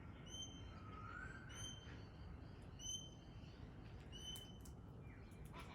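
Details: Pale-headed rosella uttering evenly spaced, pure high whistles, roughly one per second; a lower wavering tone rises briefly near the start, and a sharp rasp closes the recording.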